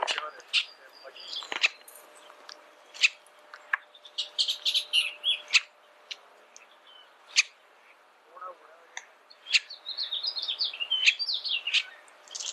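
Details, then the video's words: Bullock's oriole gives scattered sharp chirps and short chattering, whistled phrases, high-pitched and irregular, with a faint steady hum underneath. "Bullock's Oriole Bird Sound, Bird Song"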